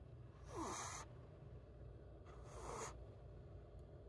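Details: A captive Bengal eagle-owl protesting as its claws are filed after clipping gives two harsh, breathy threat hisses about two seconds apart, each with a faint descending whine, over a low indoor hum.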